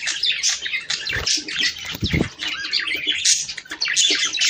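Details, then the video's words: Budgerigar chatter used to encourage mating: busy high twittering and sharp chirps overlapping, with a few short dull knocks near the middle. "صوت طيور البادجي ــ تحفيز للتزاوج"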